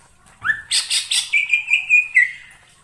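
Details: Cucak ijo lure song for bird trapping: a rising whistle, then rhythmic raspy bursts followed by a sustained clear whistled trill.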